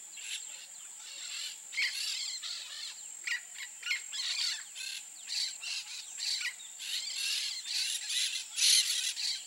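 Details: Peach-fronted parakeet chatter of rapid, scratchy screeches, several short bursts following closely for nearly ten seconds, against a constant high insect buzz.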